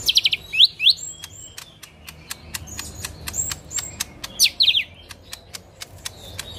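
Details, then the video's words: Lesser green leafbird in full 'tembakan kasar' song, with rapid buzzy trills and sharp sweeping chirps, a quieter spell of thin whistles, then another harsh trill, all over continual fast ticking. "Cucak Ijo Mini Gacor Full Tembakan Kasar"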